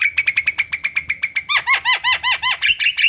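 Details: Gacor black-winged myna, a kept bird, singing to provoke lazy birds into song: a fast run of sharp repeated chips, then loud harsh arched notes with whistled overtones, about three per second.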